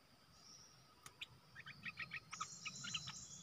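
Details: Red-whiskered bulbul as a cage decoy for luring wild birds, September 2021; a quick string of short, sharp chirped notes rising in loudness, over faint background hiss.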